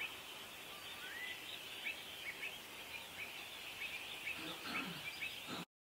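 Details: Pied avocets defending chicks in a territorial dispute give a scattered run of short, sharp calls, some overlapping, against constant outdoor noise; the sound cuts off abruptly near the end.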